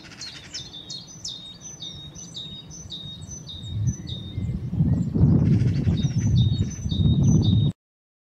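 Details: A chiffchaff sings at Saltersford Locks, Cheshire, on 31 March 2014: a steady run of high, sharp notes alternating in pitch, about three or four a second; low wind rumble grows louder partway through.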